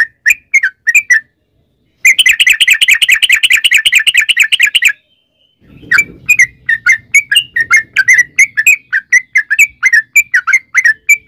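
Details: Sooty-headed bulbul singing a long rolling song meant to lure other bulbuls into song: bubbly chirps, a three-second rapid continuous chatter, a short break with a low rustle, then steady repeated chirped and whistled notes.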